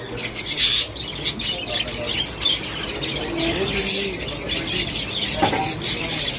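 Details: Baby chicks chirping, with a hen nearby: rapid high, thin peeps repeated densely throughout, overlapping one another, with a low murmuring sound in the background.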